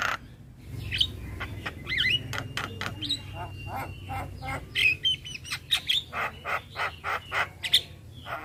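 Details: Adult male Javan myna pouring out a varied song for a young bird to learn: scattered whistled slurs and a faint steady tone, then a rhythmic train of loud clicks, over a low hum.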